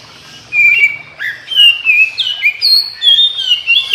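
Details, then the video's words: Oriental magpie-robin singing in the morning, answered by other magpie-robins that join in loudly; clear whistled phrases that slide and warble, short notes rising and falling in quick succession over a quiet background. "Kicau KACER Pagi Hari KACER Lain Denger Langsung Ikut GACOR Nyaut Koar Koar"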